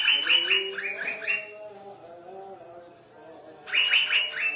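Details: Asian fairy-bluebird singing vigorously, its voice said to make green leafbirds agitated: a fast string of six clear whistled notes, a quieter gap, then a further run of ringing whistles.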